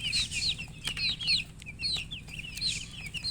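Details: Chicks calling with loud, clear peeps, each a high whistled note that rises then drops, repeated about once a second over quieter chirping and a soft low hum.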